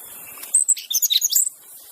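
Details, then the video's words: Wild white-rumped shama in the open, pure song free of mimicked phrases, used to coax reluctant shamas into singing: a short run of thin, very high sharp chirps and trills after a quiet start. "kicauan MURAI BATU di alam bebas Tanpa Isian"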